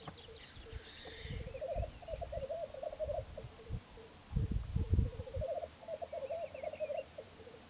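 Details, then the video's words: At dawn on 17 April 2013 at Filsartrusket, Florarna, three displaying black grouse males: steady bubbling rookoo phrases rising and falling in waves, with sharp hissing notes early on and faint higher calls near the end, plus low thuds. "Orrspel i Florarna"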